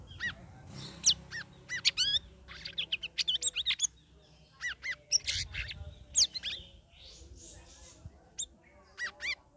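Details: Sooty-headed bulbul, kept bird in its third week of care with a group of other caged birds, giving a chattering ngeriwik song: sharp, high chirps and quick upswept notes in loose bursts separated by short gaps.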